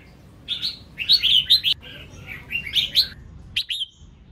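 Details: Female red-whiskered bulbul singing to stimulate males: bright, warbled phrases of quick rising and falling whistled notes, delivered in bursts with short pauses, a final pair of sharp upslurred notes near the end.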